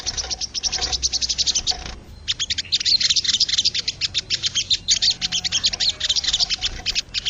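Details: Wild crested jay, used as training audio to rouse caged birds: a long, fast, rattling stream of high staccato notes, pausing briefly near two seconds, then resuming more loudly and continuing steadily.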